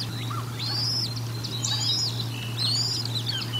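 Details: Nest-camera recording of bald eagles feeding at Decorah North, 04 01 2022: high, arched whistles given about once a second, each with a short rising then falling shape, above a steady low hum.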